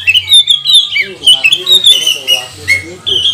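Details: Magpie-robin singing as a lure to provoke other birds into song: bright, harsh whistled phrases with scratchy, chattering notes, sliding up and down and broken by short pauses.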